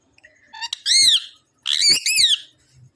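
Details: Parrot voice: a short low whistle and click lead into two loud arched, harmonic squawking phrases, each rising then falling.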